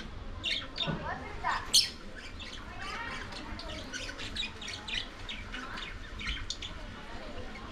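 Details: Lovebirds eating corn make scattered shrill squawks and short chirps, with one loud sharp burst early on and continued lighter twittering afterward.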